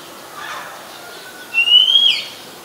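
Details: Oriental magpie-robin singing in Ubon Ratchathani, Thailand, July 2021; after a faint murmur, one clear whistled note rises slowly and ends in a short buzzy flourish.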